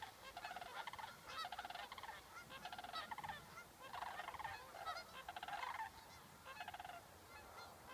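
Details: Several sandhill cranes near Waite Park, Minnesota, in August 2014 call in loud, rolling, trumpeting rattles that come in rapid overlapping bursts throughout, with no other clear sounds.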